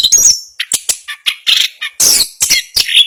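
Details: Orange-headed thrush, a national champion contest bird, singing a fast, dense rolling song: rapid bursts of harsh, scratchy high notes and brief whistles packed closely together, with short gaps between phrases.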